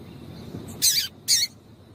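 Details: Two quick, bright, high-pitched chips a fraction of a second apart from a female double-collared seedeater, a call meant to get males singing, with soft low background noise.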